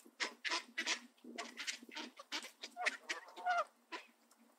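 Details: Two Canada geese in a park in Southern Ontario, Canada, bullying Mallard ducks away from bird seed spread on grass. Harsh, nasal honks come in quick uneven bursts, crowded together with overlapping waterfowl calls.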